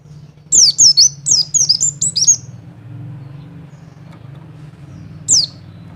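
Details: Double call of a mountain white-eye, Wilis type, used to excite males into breeding condition: a quick run of about seven sharp, high, down-slurred notes in the first two seconds, then quiet hum and one last note.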